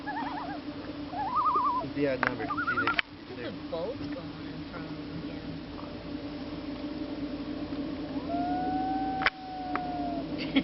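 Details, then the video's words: Common loon on Squaw Lake, Wisconsin: short quavering tremolo phrases early on, then a long, level, drawn-out wail near the end, over steady low engine-like hum and faint human voices. "loon call on the water"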